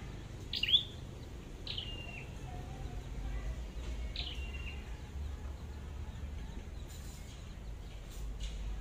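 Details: Red-headed flowerpecker being trapped: three thin, high falling calls with short flat buzzy tails in the first half, then only steady low background noise and a few faint clicks.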